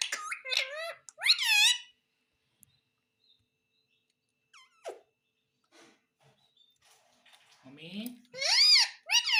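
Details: Indian ringneck parakeet, a talking bird said to say mummy and papa, giving loud nasal speech-like syllables at the start and end, with a quiet stretch of faint clicks and small squeaks between.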